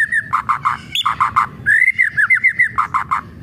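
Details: White-rumped shama singing kretekan as a provoking lure: alternating groups of three lower rough chips with a long looping series of ringing slurred whistles, fast and energetic throughout.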